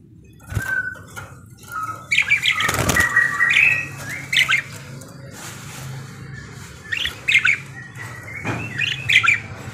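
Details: Parakeet singing actively: scattered squawky chirps and short warbled phrases at mid-high pitch, with a brief burst of wing flapping near the middle and a low background hum.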